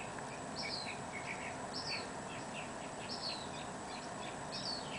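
Black Phoebe giving thin, high two-part phrases, about one every second and a half, over a steady roar of background noise.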